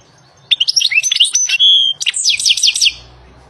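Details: European goldfinch singing in the wild: a fast, high, liquid twittering phrase of tinkling notes and a sustained bright whistle, followed by another quick burst of chattering trills.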